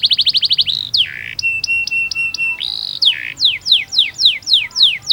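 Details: Canary tutoring song for young birds, mixing a quick high trill, low harsh slurred notes, a steady piping tone with pulsing upper notes, and a run of descending whistles.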